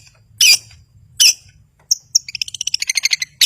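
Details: Long-tailed shrike singing to provoke silent birds: two harsh rasps, then a thin whistle and a fast tinkling trill, closing with another rasp.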